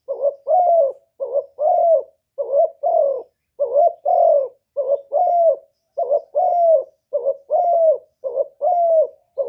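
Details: Decoy spotted dove giving a repeated one-ending call to attract and provoke wild doves; low, mellow double coos, each a quick quavering note and a longer sliding hoot, about eight pairs in steady rhythm.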